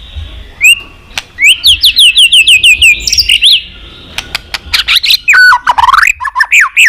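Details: White-rumped shama performing continuous 'tạch' song to stimulate other shamas: a string of repeated descending whistled notes, then sharp clicks and a flurry of bright, rising and falling whistles ending in warbled phrases.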